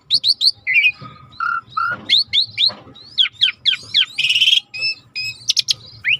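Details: Starling singing in a training recording with river nature sounds: a lively string of downslurred whistles, short steady tones and a harsh buzzy note, repeated with little pause.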